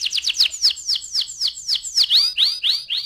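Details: Canary singing as a lure to get other canaries into full rolling song: a rapid series of loud, sweeping downward whistled notes, about four per second, with the last few broader and bending downward, over a quiet background.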